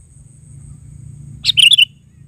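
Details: Sooty-headed bulbul giving a single short phrase of quick, bright chirping notes near the end, after a quiet start with a faint low hum and a thin steady high tone.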